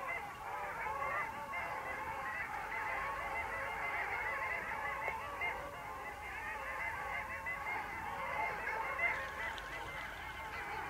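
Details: A flock of long-tailed ducks at the Vistula mouth, Poland, on 8 February 2013 fills the air with a steady chorus of nasal, yodeling calls, dozens overlapping without pause.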